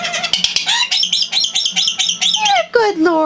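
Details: Black lory, an adopted five-year-old female kept in a cage, giving a run of nasal, squeaky notes about every quarter second, then lower drawn-out whining calls, with a woman's soft voice nearby.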